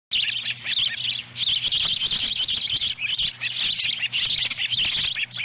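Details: Ospreys at their nest in Lolo, Montana, on July 18, 2017, as the female delivers a small fish and a chick eats it whole. A dense run of high, sharp chirps repeats almost without pause over a steady low hum.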